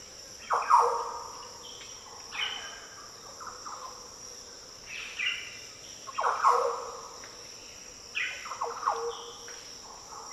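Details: Deep, liquid song of Green Orioles calling in Australia's Daintree rainforest. Loud fluty phrases of quick swooping notes repeat about every two seconds, with a steady shrill insect hum throughout.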